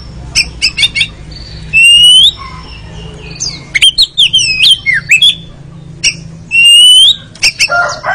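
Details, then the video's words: Oriental magpie-robin played as a training recording meant to spur birds into ngeriwik singing: varied loud whistles, swooping upslurred notes and rapid clipped chips in bursts, with a faint steady low hum beneath. "TERAPI KACER ANTI LEMOT MENTAL JUARA LANGSUNG NGERIWIK"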